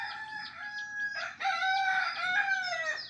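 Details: Rooster crowing heard on waking at the approach of morning, a sign that day is breaking; a long harmonic crow with a strained, wavering middle rises after a brief pause, while thin high chirps of small birds run in the background.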